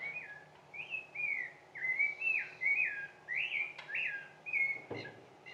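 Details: Rufous-bellied thrush singing a run of clear, fluted whistled phrases, each slurred and often falling, about two per second, its final song notes longer; a soft click near the end.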